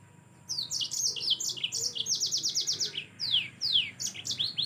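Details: Yellow-fronted canary in full gacor song, offered as a model for teaching other birds: dense high twittering, a short trill, and several long downslurred whistles toward the end, with a faint low hum behind.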